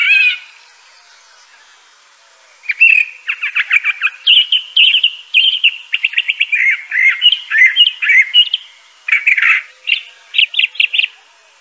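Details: Crissal thrasher delivering a long, varied song: after a quiet start, a steady stream of quick repeated notes, trills and slurred whistles shifting pitch phrase to phrase for about nine seconds.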